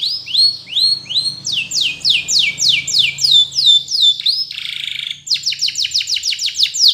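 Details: Training song from a canary: loud upslurred whistles, then sharp falling sweeps, a short harsh rattling trill, then a fast series of clipped downward notes.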